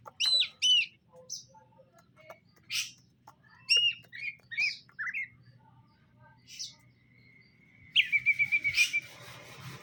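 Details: Greater green leafbirds, a captive male and female being introduced for pairing, utter scattered bright chirps and whistled notes, ending in a fast rattling trill of repeated notes against a low background hum.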